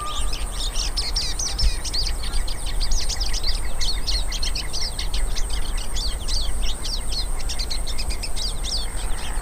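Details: Hooded siskins, several birds, singing outdoors in nature: a dense, continuous chorus of quick chirps and twitters packed tightly together, with a steady high insect-like hiss running underneath throughout.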